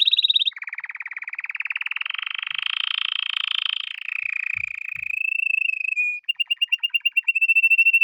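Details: Male canary singing indoors: a high buzzy note, then a long continuous rolling trill that rises slightly and falls, ending in a steady tone and a series of rapid clipped pulses; no other sounds.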